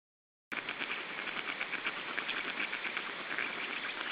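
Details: Black stork chicks in their third week of life, being fed at the nest in Estonia on 14 June 2013, give a steady, harsh, hissing wheeze, pulsing rapidly and unbroken for several seconds.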